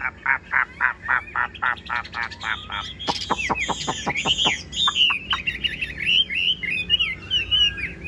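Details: Caged Chinese hwamei, only just brought home, opening with a string of short, evenly spaced chirps, then steeply falling whistled strokes and a fluid, rolling warble on a wet morning.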